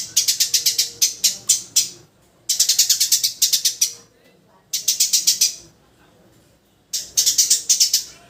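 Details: Four fast bursts of loud, rasping chirps from a Eurasian tree sparrow, each burst of seven to ten clipped notes, separated by short silences over a low, quiet hum.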